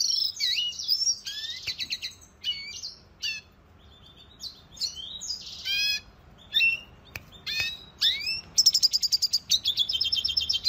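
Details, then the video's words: A red siskin's training song for cage birds: scattered high chirps and twangy slurs separated by short gaps, ending in a fast, evenly pulsed trill of high notes. "Pintassilgo da venezuela cantando muito 2020 - Red Siskin training song"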